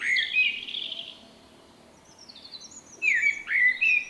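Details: Common Blackbird with a distinctive personal song, recorded late March 2024: a low fluting phrase followed by high twitter, a quiet gap, then two clear descending whistles.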